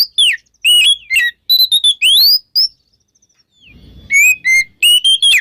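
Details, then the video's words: Oriental magpie-robin in loud morning 'ngeplong' song, meant to prompt magpie-robins that have stopped singing: ringing whistles, steep rising sweeps and short trills, a pause with a soft low rumble, then further whistled notes. "SUARA KACER NGEPLONG DI PAGI HARI UNTUK PANCINGAN KACER YANG MACET BUNYI"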